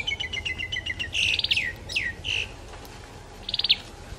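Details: A Cambodian tailorbird, endemic to Cambodia, filmed near Phnom Penh with 4-5 birds present, gives rapid high, thin descending chirps, then loud buzzy trills and sharp down-slurred notes, with a brief trill repeated near the end.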